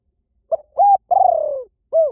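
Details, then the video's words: One cooing phrase from a spotted dove, meant for luring doves: a brief low note, a level hooting coo, a long tremulous coo falling in pitch, and a closing soft coo. No other sounds. "เสียงนกเขาใหญ่ หมานๆ ต่อเข้าเร็ว ป่าไหนก็เข้า"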